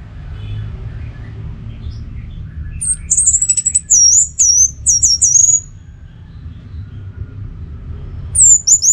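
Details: Anis merah, the orange-headed thrush, in a pacingan recording from northern Bali meant to keep birds singing: a quick series of very high, sharp, squeaky twittering notes, then a pause and another short burst, with low hum beneath.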